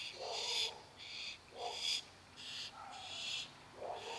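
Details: Barn owl chicks waiting for their dinner give harsh, hissing, snore-like begging screeches, each lasting about half a second and repeated roughly every second, sometimes overlapping.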